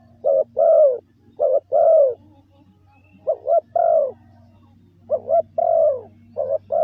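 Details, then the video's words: Spotted dove giving lure coos for decoy training in grouped phrases, each a short double coo and a longer descending coo, over a steady low background hum. "Tiếng chim gáy gù gọi mồi cực chuẩn"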